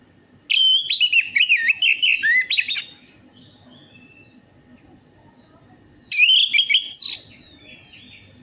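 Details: Orange-headed thrush song serving as a lure to prompt singing: two loud rambling bursts of varied whistled and scratchy notes, each about two seconds long, with a quiet gap between them.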